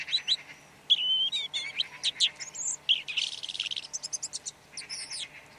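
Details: Red-backed shrike song, a fast, varied jumble of thin whistles, harsh chattering notes and rapid ticking phrases that run almost continuously over about six seconds. The background is clean.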